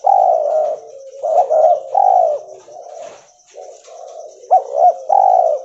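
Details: A cotton-white albino spotted dove, a colour mutation, coos in low, mellow phrases: short hooted notes run into a longer rolling coo, with the pattern repeated after a pause.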